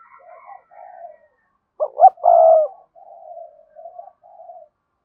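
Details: Spotted dove of the cườm sa type in thúc gù cooing: soft murmured coos lead into one strong phrase of two quick notes, a sustained coo and a final note, then quieter coos trail off.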